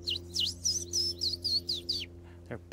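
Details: Male indigo bunting, just returned for the season, in open scrubby habitat, singing a quick run of high, sweet whistled notes, mostly in doubled pairs, ending on a slurred downward note; faint low hum underneath.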